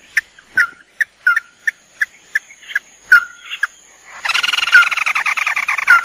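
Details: Male and female red-eyed crake (tikusan mata merah) calls used as a lure: short, sharp notes about twice a second, then a dense, fast, rattling chatter.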